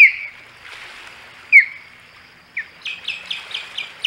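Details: Osprey at the Hog Island nest, three birds present, 15 August 2020: two isolated sharp downslurred whistles, a pause, then a quick run of five or six high chirps.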